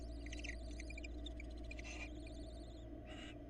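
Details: Female barn owl bringing a rat to her young at a Florida nest, with the male present; rapid staccato twittering and long quavering trills, then two harsh hissing screeches, over a low hum.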